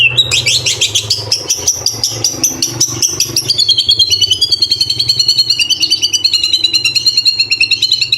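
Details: White-rumped shama in a training recording of full mimicry fill and rapid burst phrases: an extended, fast, even trill of high ticking notes, the pitch slowly sliding down, with a low background hum throughout.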